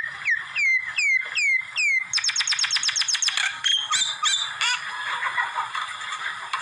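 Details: Common myna giving a string of repeated downslurred whistles, about one every half second. These turn into a fast burst of sharp clicking notes, then mixed chatter and squeaky whistles.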